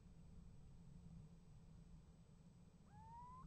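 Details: One long, gently rising whistled note from a little owl near a nest box in January, a call that gets an answer from another owl; quiet low hum before it.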